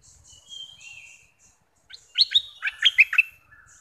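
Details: Southern dok taeng bird used as a sing-along training song for young birds: faint high thin notes, a short gap, then a burst of loud chirpy, warbled notes with fast up-and-down sweeps lasting about a second.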